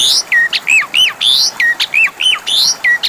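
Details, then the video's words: Lure song of an Asian pied starling, meant to make a silent bird respond: a steady stream of short, bright whistled notes, many curving downward, about eight distinct phrases in three seconds. "Pancingan suara burung jalak suren macet bunyi"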